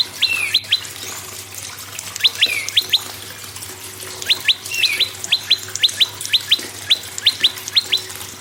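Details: Prinia song meant to stimulate silent birds to sing, named prenjak lumut: clusters of two or three bright, quick rising chirps delivered in bursts, with an occasional lower warbled note between them.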